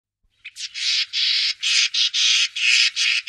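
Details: Common starling singing, recorded 2017 near Wittlich: a run of harsh, buzzy, broadband bursts repeated almost back to back, about two or three per second, with short gaps between them; no other sounds stand out.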